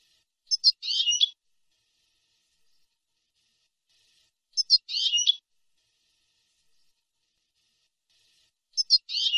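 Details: European goldfinch on a tutor recording made to teach young birds: a short phrase of two sharp chips and a dense scratchy twitter, repeated three times at roughly four-second intervals against silence.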